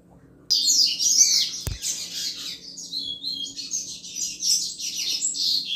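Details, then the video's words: Double-collared seedeater singing in the 'chuva' style meant to stimulate other males; after a brief quiet start a fast, high, jumbled stream of trills and chirps runs unbroken to the end, with a single sharp click early on. "Canto Chuva de Coleiro Top Para Esquentar Qualquer Coleiro!!!"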